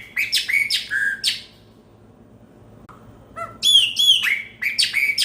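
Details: Loud Chopi blackbird song: bright, ringing whistled phrases rich in overtones, a pause of about a second and a half, then more clear liquid notes and a falling whistle in a rapid string.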